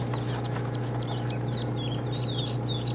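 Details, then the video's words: Young ducklings give a quick series of thin, high, downslurred peeps, several birds overlapping, against a continuous low hum. "صيصان البط"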